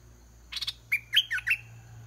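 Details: Caged red-whiskered bulbul used as a decoy, singing repeatedly until a wild bird descends to fight; brief buzzy chatter, then a lively four-note slurred whistled phrase over a low hum.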